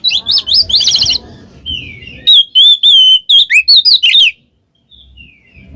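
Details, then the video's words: Oriental magpie-robin song in ngeplong and ngekek style, played to stir a reluctant magpie-robin: a burst of rapid slurred whistles, then clear looping whistled notes repeated several times before a short pause and faint soft notes. "suara burung Kacer NGEPLONG ngekek cocok buat pancingan Kacer males bunyi"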